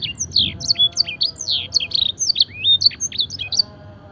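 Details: Canary training song that mimics the blackthroat and edel sanger. Rapid high whistles and rising slurs tumble together, ending in one long upward sweep before the song fades to a low background hum.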